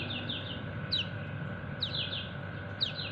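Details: A white-eye, known locally as kecial kuning, calls its companions with repeated high 'ciak' notes: a sharp downslurred chirp about once a second, each trailed by softer echoing chirps, over a continuous hum.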